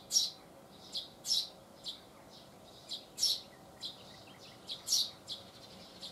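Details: Eurasian tree sparrow chirping loudly from a deck railing in southern Sweden, 12 June 2015: a steady series of sharp, high chirps, some strong and some softer, coming roughly every half second to second, with little else audible.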